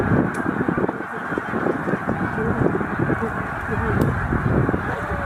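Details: Snow geese, a migrating flock of about 100,000 at Middle Creek wildlife refuge, stopping on the way north to breeding grounds: a dense, continuous roar of overlapping nasal honks with sharper single calls breaking through.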